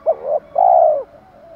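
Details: Spotted dove luring wild birds with 'thổ pha thúc đấu' calling: a quick rising-then-falling short coo, then a long steady low coo that fades downward.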